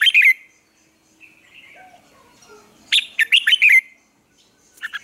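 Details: Caged red-whiskered bulbul morning song for training other birds to sing; a loud chirped burst, a soft warbling stretch, then a rapid cluster of bright, sharp notes and a brief final phrase.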